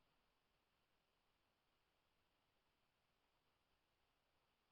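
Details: Near silence throughout, ending in a single sudden burst of sound.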